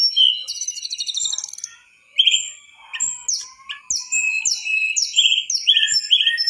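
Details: Mangrove whistler in steady song for songbird tutoring: an opening buzzy trill, then slurred whistled notes repeated about every half second.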